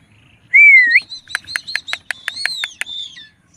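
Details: Indian ringneck parakeet giving a loud rising whistle followed by a rapid series of sharp, clipped chattering notes, about four per second, in a quiet indoor setting.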